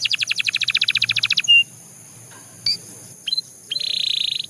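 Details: Belgian canary gives a fast rattling trill and one short whistle, then near silence broken by a few faint chips, ending with a soft buzzy roll.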